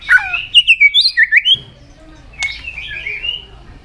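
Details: White-rumped shama singing combatively in peak form, tail flicking. A fast run of about ten clear, high whistled notes rises and falls, then softer warbled whistles follow after a short pause.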